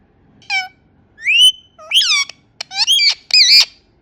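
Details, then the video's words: Indian ringneck parrot calling with a run of five loud, rasping squawks, one rising smoothly, the later ones wavering and grating, separated by brief pauses against near silence. "Indian ringneck parrot talking and making natural sounds"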